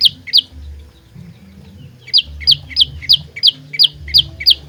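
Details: Olive-backed tailorbird used as a lure for trapping and fighting: two sharp notes, a gap of over a second, then a steady run of quick, downward-sweeping high chips.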